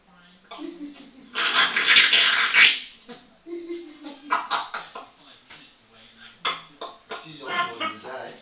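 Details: An eight-year-old female African grey parrot, kept as a pet, chats away to herself in a bathroom: a run of speech-like babble with a loud, harsh, hissing burst near the start, then shorter choppy syllables in small-room echo.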